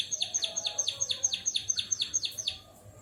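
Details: Singing white-headed munia copying a canary's song. It gives a steady run of about thirteen quick, high, downward-slurred notes, several per second, then falls silent.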